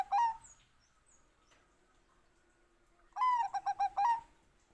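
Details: Bangkok-type zebra dove: the tail of one phrase, then after a long pause a full phrase of a sliding opening note followed by a rapid string of mellow pulsed coos ending on a longer drawn note.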